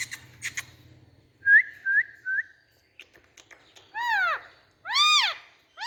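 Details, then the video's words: Indian ringneck parakeet starting with soft clicks, then three quick rising whistles, and ending with two long, loud, arched screeches, each lasting about half a second. "Indian Parrot Sounds Noise"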